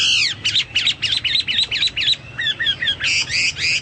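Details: Chinese hwamei singing actively, likened to cucak Papua or cucak mas: a rapid string of sharp, downslurred, ringing notes, a few clear whistles, then harsher chattering phrases.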